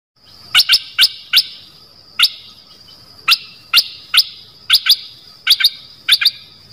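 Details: Dok Taeng bird recording used for training young birds and exciting them: sharp, clicking chip notes, single or paired, repeated at uneven intervals about a second apart over a faint steady tone.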